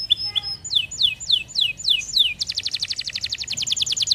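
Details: Canary song: a few short notes, then a series of falling whistled sweeps about every quarter second, ending in a fast high trill of rapid repeated notes.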